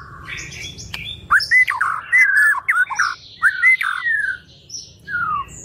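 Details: White-rumped shama (murai batu) song used as training material for songbirds: separate clear whistled phrases with rising and falling slurs, sung in short bursts divided by brief pauses, with some faint high notes between them.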